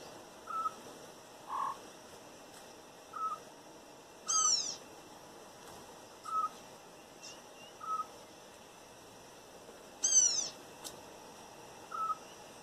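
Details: Wild Campo troupial in a backyard in northeastern Brazil giving clear, short, level whistled notes, repeated about every one to two seconds, interrupted twice by loud, harsh, buzzy calls with rich overtones.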